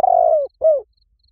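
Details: Spotted dove lure call, used to draw doves in quickly in any forest: a long, slightly falling coo followed by a shorter downslurred coo, low and mellow, with a quiet background.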